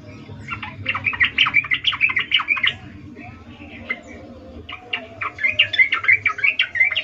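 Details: Female sooty-headed bulbul calling for a male while in breeding condition, ngecuplik style: dense, scratchy chattering bursts, a scattered middle section of sharp notes, then renewed rapid chatter.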